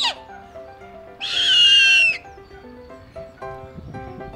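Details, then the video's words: Snowy owl, an Arctic animal, gives one harsh, hissing screech lasting about a second, with a thin whistle sliding slightly downward, over soft background music. "Snowy owl"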